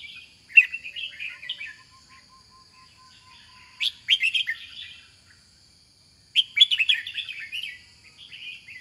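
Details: Red-whiskered bulbul giving three bursts of rapid, liquid chattering song with slurred notes. Long quiet gaps separate the bursts, and a faint steady high whine and a soft low tone sit underneath.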